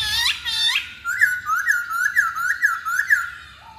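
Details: Masked laughingthrush heard in a pancingan lure: two bright burry notes, then about six ringing upslurred whistles repeated quickly and evenly, ending in a short lower note.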